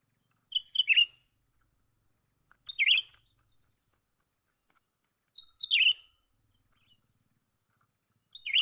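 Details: Young cucak ranting bulbul being lured for trapping gives sharp, slightly descending chirp clusters separated by two to three second gaps, with a constant thin high tone running underneath.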